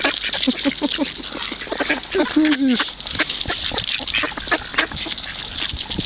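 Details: Ducks jostle for food at the Kirchsee, Preetz, calling in a steady, overlapping clatter of brief rasping quacks. A person's voice cuts in briefly midway.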